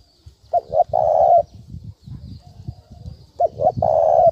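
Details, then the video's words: Spotted dove coo used to lure birds for trapping: two phrases, each a quick double note then a long hoarse low coo, separated by a stretch of low rumbling noise. "Tiếng chim cu gáy thúc bổi dùng kích mồi rất hiệu quả"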